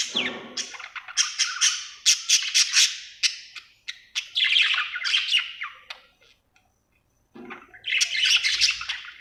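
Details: Pet budgie, called happy, chatters with fast scratchy chirps and clicks in long bursts, falls silent for about a second, then resumes its warble.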